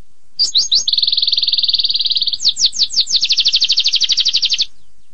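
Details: Canary starting with rising chirps, then a smooth fast buzzy trill, a burst of sweeping downslurred notes, and a loud rapid rolling trill before falling silent.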